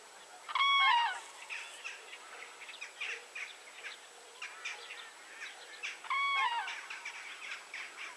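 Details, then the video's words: Common crane at 52.196522, 19.804122, giving two clear trumpeting calls about five seconds apart, each a short arched note with a downward tail, while softer chirps of other small birds fill the gaps. "Common Crane / Żuraw"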